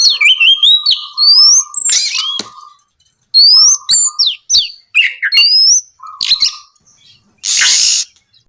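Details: Oriental magpie-robin song for prompting other magpie-robins to sing: rising whistled slurs and chips over a repeated low buzzy tone, ending in a long harsh hiss.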